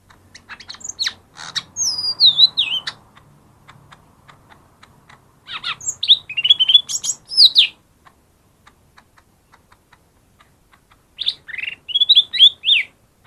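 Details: Lesser green leafbird singing, meant to provoke reluctant birds to answer: three separated phrases of high sweeping whistles, descending slurs and chatter, with silent gaps and light clicks between them.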